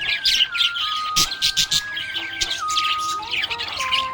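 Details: Budgie in a happy mood chatters in fast, bright twittering bursts and squeaks, while a held musical tone shifts pitch beneath it.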